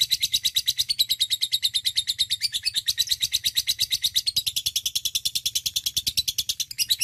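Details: Long continuous lovebird chatter (ngekek panjang), used to prompt other lovebirds to sing: a fast, even stream of shrill high chirps, about three per second or more, without a break.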